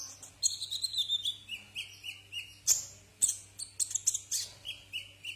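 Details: Brown-throated sunbird song used to tutor cage birds: thin high whistles and a series of repeated slurred notes, punctuated by sharp chips, with a faint steady hum behind.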